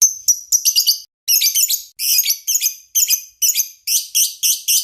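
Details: Lovebird master song for training: high, sharp chirps and rapid squeaky clusters in short bursts, with brief pauses between phrases, very shrill and busy, no other sounds heard.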